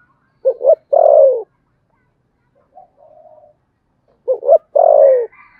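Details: Spotted dove duelling coos, Sấm Thổ voice style: two phrases of double short hoots and a long falling coo about four seconds apart. A faint thin whistle is heard between them, and a higher faint note follows.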